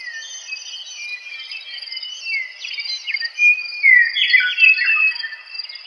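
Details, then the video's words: A meadowlark sings clear, flute-like whistled phrases that slide up and down, with a bright burst of rapid notes in the second half, set over a faint high hiss. "Meadowlarks Sound"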